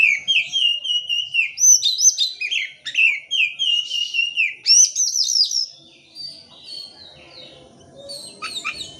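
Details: Oriental magpie-robin singing, used to stir reluctant birds into song: long steady whistles broken by quick rising and falling warbled notes. A dense run ends in quiet, then faint high chirps return.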